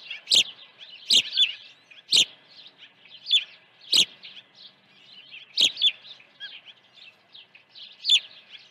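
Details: Early feeding at an osprey nest on the morning of 1 June 2019; a steady chatter of thin high cheeps is punctuated about every second by loud, sharp whistled chirps.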